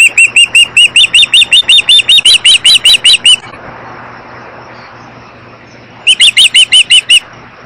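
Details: Upset mother osprey at a Missoula, Montana nest holding two chicks, nest camera, June 22, 2011: a fast run of about a dozen shrill chirps, rising slightly in pitch, then a three-second pause before a second quicker burst.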